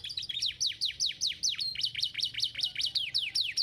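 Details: Canary singing to spur lazy canaries into song, a steady run of bright, sharply falling chirps repeated rapidly, each note sweeping down from high pitch, with a few thin sustained tones threaded between.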